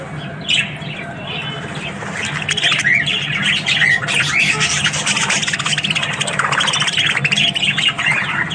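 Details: Budgerigars in the morning: quiet at first, then a swelling busy chorus of warbles, chirps and squawks from many birds over a low hum.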